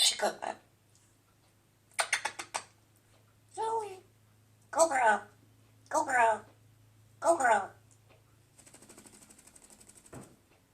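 A Congo African grey parrot talks in short, word-like phrases about once a second, after a few sharp clicks, ending in a buzzy rattling trill.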